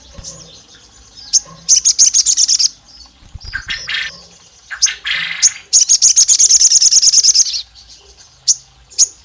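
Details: Olive-backed tailorbird, said to be a female calling the male to rouse rival males: repeated fast trills of piercing high notes, broken by rougher lower noisy bursts and single sharp chips.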